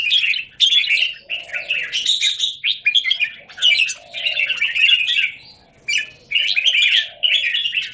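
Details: A Red-whiskered bulbul in a square cage, 17 Jan 2019, sings repeated bursts of busy, tumbling warbles, each a second or two long, separated by brief quiet spells, with soft low notes beneath.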